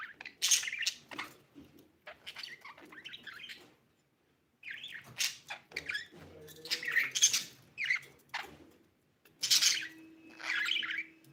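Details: Pet budgerigar, said to be a female now laying eggs, giving bursts of scratchy chirps and warbles separated by short pauses, with a faint steady low hum indoors.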